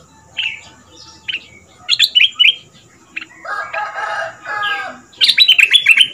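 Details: Red-whiskered bulbul, a southern Thai caged decoy of two months singing in the fierce double style for young birds to follow; ringing chirped phrases at start and a dense loud burst at the end, with a lower, harsher bird call in the middle.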